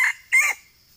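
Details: Red junglefowl calling in a eucalyptus plantation in Sumatra, Indonesia, where a call is used as a lure for trapping wild junglefowl; two short, harsh, crowing bursts a quarter-second apart, then quiet.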